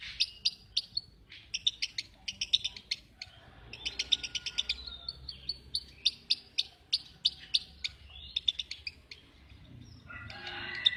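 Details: Repeated clusters of sharp, high lovebird chirps, delivered in short stuttering groups with brief pauses, some notes louder and clipped, ending in a harsher scratchy burst.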